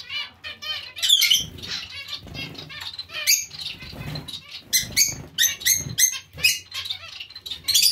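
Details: Lively zebra finch colony shared with Bengalese finches; rapid nasal beeps and sharp high chirps overlap continuously, with wing flutters and light tapping underneath.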